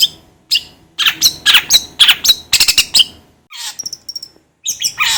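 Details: Long-tailed shrike, sound said to rouse shrikes: a series of loud, harsh chattering bursts, a short pause, then thin high whistles and a final scratchy phrase.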